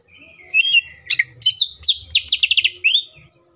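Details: Green leafbird, a lure to make other leafbirds sing quickly: varied mimic-like phrase with a slurred whistle, sharp sweeps and a quick trill of chips, over a faint low hum.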